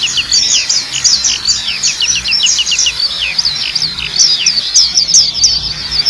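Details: Black-capped white-eye singing without pause in a tutor recording for training birds: fast, very high, thin chirps and slurred tweets tumble over one another in a continuous twittering stream.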